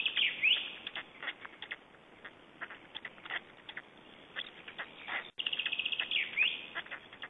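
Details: Feeding time at an Estonian black stork nest on 21 May 2012, chicks calling: irregular brief rasping notes, then a fast, even series of harsh pulses after a short break, with a faint background hiss throughout.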